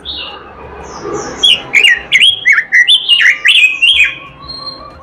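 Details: After a quiet start with faint distant sounds, an oriental magpie-robin bursts into a quick series of loud, slurred whistles and chirps, each about a third of a second apart, fading at the end.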